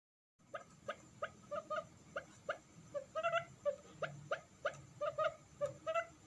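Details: Quail lure call meant to draw in wild forest quail: fast series of short, clipped notes repeated about three times a second, some doubled, over a steady low hiss and background rumble.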